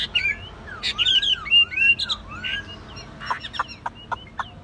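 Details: A mostly tame caged Chinese hwamei mixes fluty whistled slurs with arching notes, then a series of sharp, dry clicks and chips toward the end.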